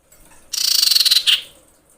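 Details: Breeding-condition female common iora calling males: one high, buzzy chatter of rapid even pulses runs under a second and ends in a short, separate, emphatic note.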